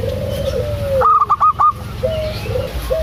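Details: ['Loud local zebra dove, female calling the male, delivers five rapid, punchy notes in under a second. Long gliding whistles and a low hum are heard before and after.']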